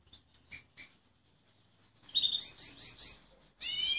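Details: Pet male Fife Fancy canary singing indoors: after two seconds of faint chirps, bright high buzzy trills in rapid repeated rolls, a short pause, then another rolling trill phrase.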